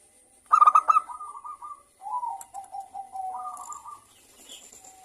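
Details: Zebra dove of local stock, song meant to encourage other doves to call: one brief burst of sharp staccato notes, then a long run of soft, wavering rolling coos, a thin steady whine in the background.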